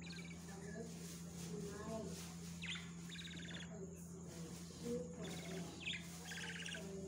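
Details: Budgerigars in a breeding setting, adults feeding their babies: repeated buzzy, raspy chirps in short bursts, several clusters spaced a second or two apart, over a steady low electrical hum.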